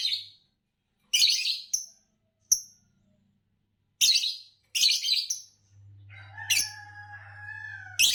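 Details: Green Fischer's lovebird chirping repeatedly. Harsh, shrill bursts and sharp single clicks come in irregular bunches, then turn into a wavering tonal chatter near the end over a low hum.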